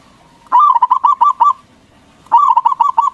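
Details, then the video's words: Local zebra dove singing loudly as a lure to make other doves answer; two bursts of rapid, rolling coo notes, the second starting after a short pause, each note bubbling and evenly spaced. "Perkutut lokal Gacor Suara BESAR bikin Cepat Emosi Lawan Auto Nyaut Seketika"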